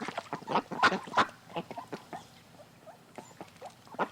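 Geese gabble in short, nasal honks and grunts, loudest in a quick burst near the start and then scattered softer calls.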